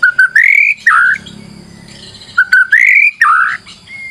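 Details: Lure song of a white-rumped shama, two matching phrases: short whistle, rising slurred whistle and a buzzy descending flourish, separated by a pause with a low hum underneath.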